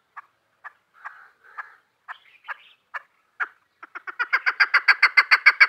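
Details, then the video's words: Female chukar partridge kept for hunting: scattered single clucks and short buzzy notes at first, then a fast, loud, regular series of chuk notes building up over the last second and a half. "shakari awaz madi chakur kiklik conc"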